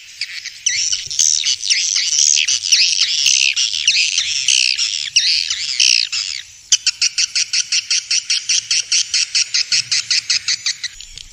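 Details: Swiftlets recorded in Vietnam as a lure for bird houses: several seconds of dense, grating twittering, then a steady train of short dry clicking pulses repeated several times a second.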